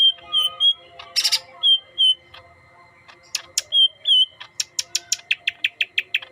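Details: Green leafbird, yellow-headed, singing short clear whistled notes with harsh buzzy bursts, ending in a fast run of about ten sharp repeated chips; a steady high tone runs beneath.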